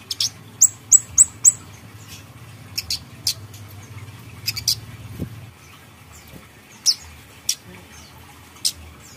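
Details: Grey-headed canary-flycatcher (kamade), plain bird in full song, used as a lure recording: a fast burst of four thin, high, down-slurred notes, followed by spaced, clipped high chips over a quiet low hum.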